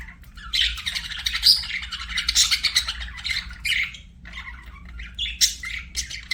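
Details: Budgies chattering continuously in a busy, scratchy warble of short squawky notes and quick chirps, rising and falling in loudness, with a faint low hum behind.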